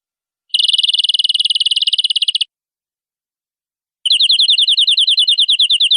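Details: Canary tutor song for teaching young birds: a fast, even high trill lasting two seconds, a pause of about one and a half seconds, then a slower trill of repeated down-slurred notes, against a silent background.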